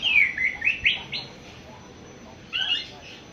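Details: Young awar-awar bird, seven months old, starting to sing: a quick burst of bright falling chirps, a quiet pause, then a brief renewed twitter.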